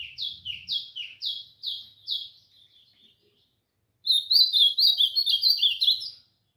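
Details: Caged Ultramarine Grosbeak (azulão) brought outside for its warm-up session, singing: a run of descending high slurred notes repeated about twice a second, a short pause, then a louder, faster warbled phrase of high notes.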